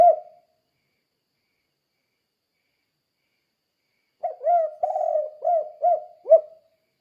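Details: Spotted dove, 'kuk 2' cooing style for training other doves to sing. A last coo fades, then after silence comes one full phrase: a short note, a long quavering coo and three crisp hoots.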